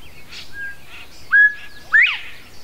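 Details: Northern bobwhite singing and calling in Goose Lake Prairie State Park, Illinois: a clear two-part whistle, a short level note followed by a loud, sharply upslurred second note, with faint higher chirps and a thin steady whistle from other birds earlier.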